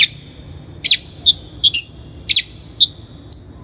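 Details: Long-tailed shrike (Lanius schach), locally cendet, in a lure recording for training young birds: sparse sharp chip notes with a clear tone, spaced about half a second apart, against a quiet background.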